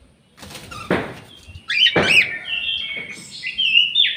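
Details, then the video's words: Orange-headed thrush singing in an aviary: a couple of dull knocks, then loud whistled phrases with sliding and warbled notes, partly overlapping, flowing almost continuously through the second half. "SUARA ANIS MERAH"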